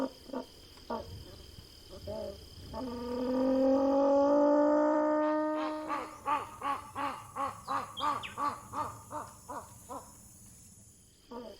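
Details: Rufescent tiger-heron (Tigrisoma lineatum) call: a long, low, moaning note lasting about three seconds, then a steady run of short, throaty pulses, roughly three each second.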